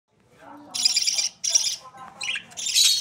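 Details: Australian parrot chicks (budgerigars) in Pakistan give harsh, raspy bursts, a few short rough calls separated by brief pauses, with faint low murmuring underneath.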